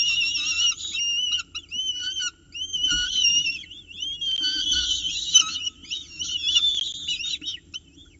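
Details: Nest-box peregrine falcon chicks at breakfast, 9:36 am, 29 October 2018, in Orange, squabbling over delivered prey while an adult steps in to feed them: a steady run of thin, whistled, arching wails and chirps, overlapping and rising and falling.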